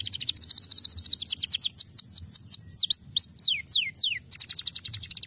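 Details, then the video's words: Canary singing as a training recording: a fast rattling trill flowing into looping, swooping whistled notes that rise and fall, then a brief trill again. "NYANYIAN BURUNG KENARI YANG LUAR BIASA"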